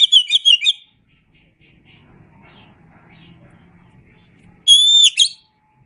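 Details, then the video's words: Oriental magpie-robin singing in a tutor recording: a fast burst of chirping whistles, about four seconds of low murmuring background, then a second loud phrase of high, clear whistled notes. "Masteran Suara Kacer"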